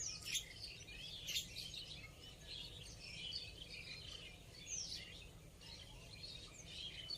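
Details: Rose-ringed parakeet giving a steady stream of high, thin chirps and squeaky whistled notes, several overlapping at once, with sharper louder squeals near the start and around the fifth second over a low constant hum.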